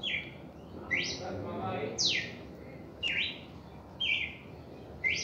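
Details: A red-crested cardinal's first reaction song: loud, sharp whistles, steep downward sweeps alternating with rising and level notes, about one each second.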